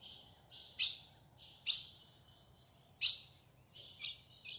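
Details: A female ultramarine grosbeak in the caatinga sertão calls to stir a male into song, giving sharp, high, metallic chip notes at uneven intervals of about a second over a faint low background hum.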